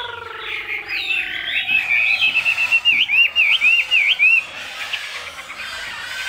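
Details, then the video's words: Chinese hwamei, caged in Vietnam, in 'cao cầu' song: after a low descending harmonic call from another bird, rapid zigzagging whistled notes repeat in a lively chain before fading into softer chatter. "Họa Mi Hót Cao Cầu"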